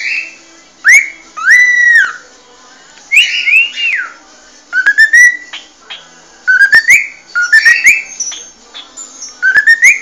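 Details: Original species song of a cockatiel, a continuous run of whistled phrases with rising sweeps and arched notes, some sliding downward, with short gaps between phrases and faint clicks.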